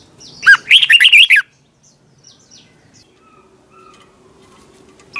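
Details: Red-whiskered bulbul competition singing, for training: one quick phrase of an opening whistle and five bright warbled notes, followed by quiet with faint soft chirps and a low hum.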